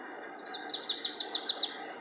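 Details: Marsh tit singing at Linford Lakes Nature Reserve, Milton Keynes, on 25 March 2015: a quick run of about eight bright, downslurred notes, evenly spaced and repeated several times a second, over faint background noise.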